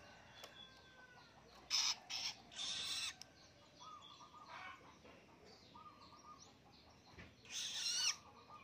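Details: Young captive long-tailed shrike, a now-independent hand-reared chick learning to sing, gives short harsh rasping bursts, two close together then a longer one, and another after a pause, with faint tonal notes underneath.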